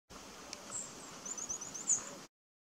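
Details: Firecrest at Abbotsbury Subtropical Gardens in July 2022, giving a quick run of very high, thin, needle-like notes, faint over a soft background hiss.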